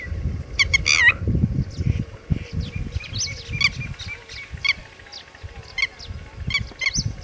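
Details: Red-wattled lapwing with chicks: a sharp loud burst of rapid strident notes opens, followed by fainter separate high calls every second or so over a low rumbling background.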